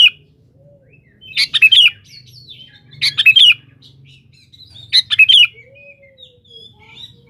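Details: Sooty-headed bulbul in energetic song calling a rival, used as a lure: rich chortling phrases repeated roughly every one and a half to two seconds, with faint thin whistles between bursts and low hum beneath.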